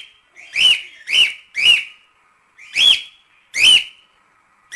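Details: Natural cockatiel song, offered to train a chick to sing: six clear, separate whistled notes, each a short, bright rising-falling tone, spaced about half a second to a second apart.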